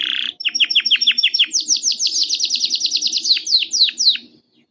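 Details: Canary singing a song meant to get other canaries to sing: a buzzy opening note, then a fast run of repeated high downslurred chirps that speeds into a dense trill, finishing with a few slower, deeper swooping notes.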